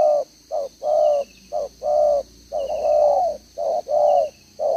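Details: Caged decoy spotted dove, two-row necklace, cooing 'gáy 1 hậu' style, recorded 11/6/2023: steady series of low, mellow coos, about eight notes mixing short clipped and drawn-out syllables, high continuous tone in the background.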